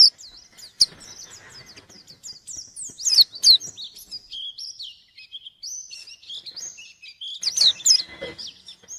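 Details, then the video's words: White-eye singing to confront a rival, a varied run of thin high whistles and chips, mostly soft with a few louder sharp notes scattered through. "Burung pleci gacor nyari lawan"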